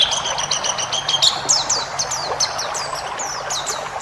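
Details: White-eye training recording for caged birds: a fast series of sharp, high, downward-sweeping notes, roughly three to four a second, over background hiss and a faint low hum.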